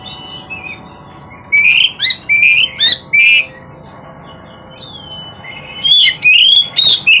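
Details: Oriental magpie-robin singing: bursts of rich slurred whistles and sharp accented notes, a quieter gap with a long thin whistle, then another lively run of rising phrases.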